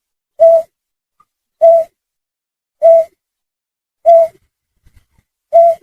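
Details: Snipe call played as a hunting lure: five short hollow hoots at a steady pace of about one every 1.2 seconds, pure in tone and set against silence.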